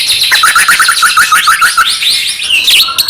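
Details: White-rumped shama singing to provoke other shamas into song: a fast run of repeated short chirped notes, then higher whistled and buzzy phrases sliding up and down.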